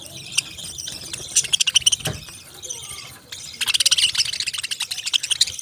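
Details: Chorus of parrots giving high, quick chirps in bursts, with a brief quieter lull mid-way before the busy twittering returns louder and denser.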